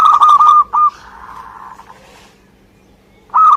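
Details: Local Indonesian zebra dove (perkutut) in full song: a quick run of stuttering coos opens, fades into a soft murmur and silence, then a new cooing phrase starts at the end over a low steady hum.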